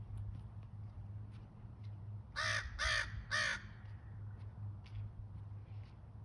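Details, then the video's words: Three crows perched on a light post in the early morning, calling and shouting back at a barking dog: three loud, harsh caws in quick succession near the middle, over a steady low hum. "3 little #black #birds sitting on a pole, having a row with a doge"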